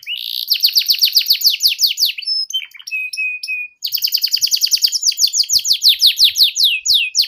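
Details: Tutor song for young canaries learning to sing, a ngeriwik style: fast repeated descending trills, a few flat whistled notes, then another long rapid trill series.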